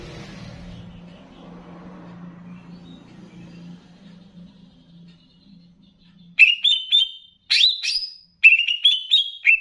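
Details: Greater green leafbird of the Banyuwangi type, in a training recording mixed with bebeci song meant to rouse other leafbirds. Six seconds of faint low hum, then loud bursts of high whistled, rising and wavering notes in three groups.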